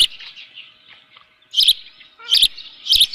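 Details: Osprey at a ranch nest holding a live fish, 7:32 AM on 24 June 2018; faint high whistles, then three loud shrill chirp bursts roughly every two-thirds of a second, each with a dull knock beneath.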